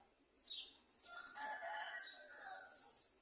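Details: Garden sunbird chick at the nest being fed by adults: thin, high squeaky notes with bursts of harsher, noisier chatter sweeping through the upper range, rising and falling over three seconds.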